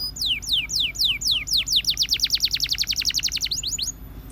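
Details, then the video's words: Canary, Russian type, singing slow high descending whistles that speed into a dense, even trill of falling notes before ending on a few rising sweeps. "The Russian Canary Invites All Canaries to Sing"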